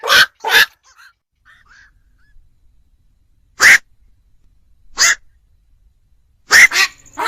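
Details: Black-crowned night heron, used as a lure to trap birds at night for Tết: sparse, sharp, raspy quoks, a quick pair at the start and then single or paired calls a second or more apart, with faint softer calls between.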